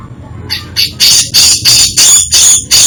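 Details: Grey-cheeked bulbul giving an isian song variation: a series of loud, harsh, buzzy bursts repeated about every third of a second, each rich and noisy.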